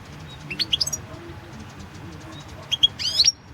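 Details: [2, 'European goldfinch song in a 2016 World Championship in Goldfinch Song entry. A short burst of high, thin twittering notes opens, then a pause, then a denser, quick run of rising tinkling chirps near the end.']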